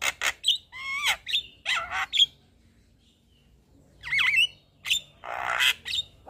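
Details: Javan myna, white-eyed form, singing full fills: warbling, swooping whistles and harsh squawks, a silent gap of nearly two seconds, then twisting whistled notes and a broad rasping burst.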